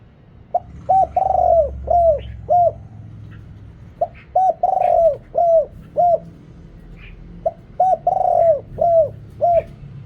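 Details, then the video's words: In Thailand, a decoy spotted dove with a big voice calls to draw in wild birds. Its mellow, low coos come in three repeated phrases, each a long drawn note followed by quick clipped ones, over a low hum. "เสียงต่อนกเขาใหญ่ เสียงใหญ่"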